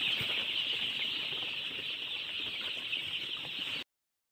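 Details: Baby chicks keep up a high, thin, overlapping peeping chorus for nearly four seconds before the sound cuts off abruptly into silence.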